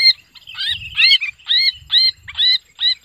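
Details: Kutilang, the Sooty-headed bulbul, giving a screaming lure call like a bird gripped in the hand: about six loud, curved, harmonic squawks in three seconds, evenly spaced, with faint low thumps between.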